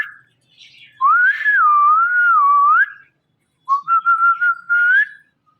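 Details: A male pet rose-ringed (ringneck) parakeet watching himself in a phone and talking in a clear, tonal voice, saying "Mittu": a long wavering meow-like imitation, then a pause and a short choppy spoken word.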